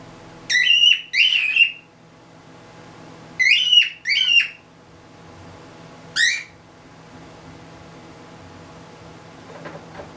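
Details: A newly introduced male cockatiel sings to a mated female cockatiel on the top perch, courting her, in short bursts of bright, warbling whistles with pauses between phrases.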